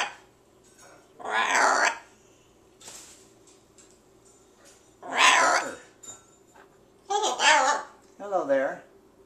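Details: A thirtysomething presumed male Ruby macaw, rehomed two months earlier, gives four harsh, raspy, voice-like squawks spaced a couple of seconds apart, indoors with faint household clatter while his keepers talk to him.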